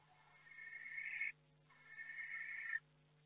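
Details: Barn owl in a nest box in May, with the second egg hatched and two more to go: two long, harsh, hissing screeches, each swelling louder over about a second before cutting off, over a steady electrical hum.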